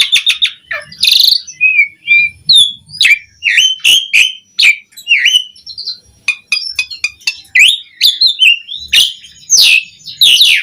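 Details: Energetic Asian pied starling song intended to lure and tutor starlings: a hoarse burst, repeated downward-curving whistles, sharp ticking clicks and loud scratchy notes, packed densely across the phrase.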